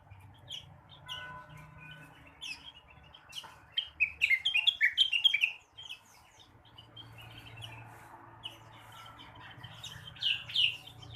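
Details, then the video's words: Morning song of a blue-winged leafbird for stimulating other birds: soft scattered chirps, then a loud burst of rapid slurred whistles, quieter twittering, and a final short phrase of bright chirps. "kicauan rengganis atau cucak wilis di pagi hari. cocok buat merangsang burung bahan"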